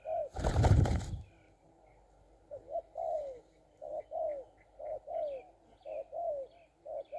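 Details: Spotted dove at a decoy-luring setup, a loud thump at the start, then a steady series of moderately soft falling coos repeated about once a second over faint background noise.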